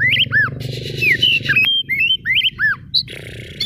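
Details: Oriental magpie-robin (kacer daput) lure song to provoke others: looping arched whistles, fast down-slurred notes and a buzzy harsh burst, with low hum in the background.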